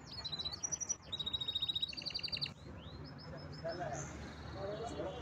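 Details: Canary singing rapid high trills and clipped whistled notes for two seconds, then a few softer scattered whistles while a faint human voice murmurs in the background.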